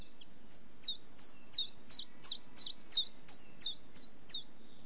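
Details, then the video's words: Common chiffchaff repeating about twelve loud, high, downward-flicking notes at a brisk, regular pace of roughly three per second, with quiet surroundings. "Chiffchaff Bird Call - Bird Song"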